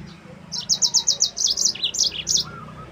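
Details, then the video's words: Energetic yellow-fronted canary training song: a steady, rhythmic string of sharp high notes, roughly eight per second, dipping in pitch partway through. A soft lower whistle is heard near the end. "MASTERAN BURUNG MOZAMBIK GACOR"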